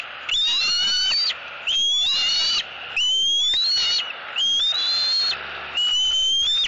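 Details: Young eagle screaming for food at its mother at a southwest Florida nest, 3 April 2018: five loud, piercing, rising squeals, each about a second long, repeated roughly every 1.4 seconds, with breathy hiss between.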